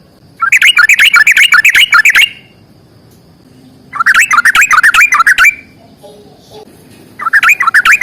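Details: Sooty-headed bulbul, fighting 'ropel panjang' long rapid song: three bursts of fast, chattering, jumbled notes, each lasting over a second, separated by quiet gaps with faint low murmurs between.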